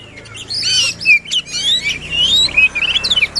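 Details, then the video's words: Short burst of White-rumped shama song for encouraging a quiet shama to sing: sweet sliding whistles and scratchy notes ending in a quick series of chips, over a soft background hum. "Kacer Gacor Full Emosi, cocok untuk mendongkrak Kacer yang malas bunyi."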